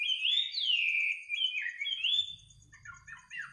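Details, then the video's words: Bird singing at midnight: loud flowing whistled phrases rising and falling, ending in softer scattered chirps over a low rumble and a faint high pulsing tone. "kicau burung di tengah malam"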